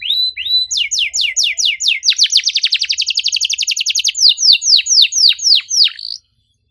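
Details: Canary singing a long, fast song meant to provoke another bird into song: sweeping whistled notes, then a rapid trill of repeated chips in the middle, slowing again into loud downward-swept whistles.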